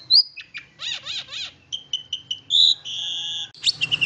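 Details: Lure recording of a long-tailed shrike to make others sing: varied high phrases of chirps, buzzy pulsed notes and a steady drawn-out whistled tone, ending in rapid sharp notes.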